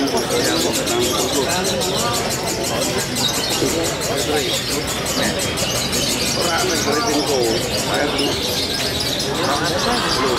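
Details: A female contest lovebird pours out a long, unbroken run of rapid, shrill chattering trills (konslet), with people's voices and other birds underneath.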